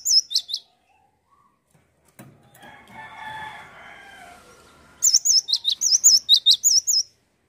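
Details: Cinereous tit singing briefly, then a rooster crows in the background, then the tit resumes: rapid high wavy whistles alternating with sharp dropping notes, repeated for about two seconds.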